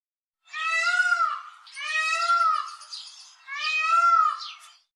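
Three loud, nasal, wailing peafowl calls, each about a second long and arching slightly in pitch, with short gaps between them. The calls sound almost cat-like.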